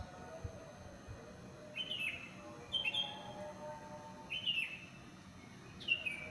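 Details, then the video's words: Bird singing after the dawn prayer in a housing complex: four short downward-sliding whistled notes spaced about one to one and a half seconds apart, with faint background hum. "SUARA BURUNG"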